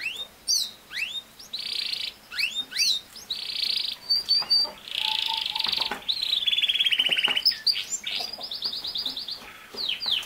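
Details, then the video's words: Canary singing, used as a training recording to teach a young male canary to sing; rapid high trills, buzzy rolls and sweeping chirps, with short bursts broken by brief pauses and some low whistled notes. "How to make a CANARY Sing fast | The BEST video for CANARY SINGING"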